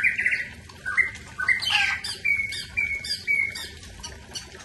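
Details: Aceh-type white-rumped shama pouring out quick warbled notes, then a run of short, clear whistles repeated at roughly half-second intervals, each flat or gently rising, over faint background hum.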